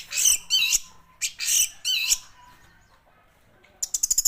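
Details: Song of an orange-headed thrush: sharp, high-pitched squeaky notes in short bursts, a quiet gap, then a fast run of thin high chips at the end.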